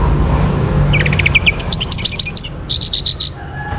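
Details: Orange-headed thrush song used as a prompt for other birds to sing: quick runs of short, high repeated notes in rhythmic bursts against a faint low hum.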